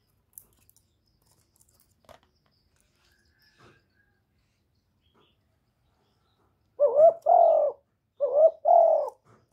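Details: Spotted dove decoy coos begin after a long quiet stretch with faint clicks: two two-part phrases near the end, each a short note followed by a longer, wavering, falling coo.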